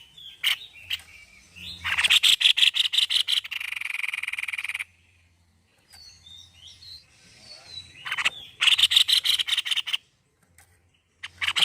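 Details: Tepus leher putih, a white-necked babbler, in full song: an opening rapid series of sharp notes flowing into a buzzy trill, a gap with soft wavering whistles, then another fast pulsed burst and a brief final start.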